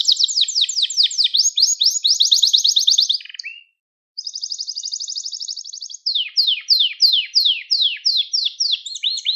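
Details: Gloster canary singing to stimulate other canaries and train young birds: a rapid high rattling trill, a brief pause, a smooth buzzy roll, then a series of repeated falling whistled sweeps.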